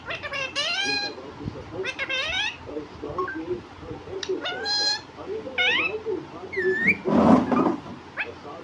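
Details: Pet parrot that talks, saying words like mummy papa, produces a string of varied speech-like syllables with sweeping harmonics, some rising and some falling, then a louder noisy burst near the end.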